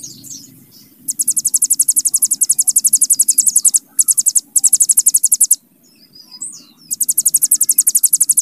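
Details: Hill prinia (ciblek gunung) performing its long bren trill for training cagebirds: high buzzy rapid pulses in several stretches, separated by short gaps with soft twittering notes.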